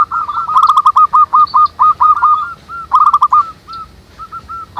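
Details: Local wild zebra doves singing manggung in a group: dense chattering runs of quick curved notes that break into separate coos, then a second rapid run and a few slower spaced notes.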